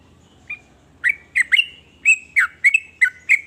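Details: Sooty-headed bulbul song believed to provoke other bulbuls into singing: a single soft note, then a burst of eight bright, slurred chirps in quick succession.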